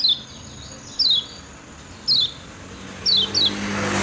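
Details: Kecial kuning (lemon-bellied white-eye) from Lombok, a master recording for training birds: a few thin, high, down-slurred chirps about a second apart, with a rising hiss of background noise toward the end.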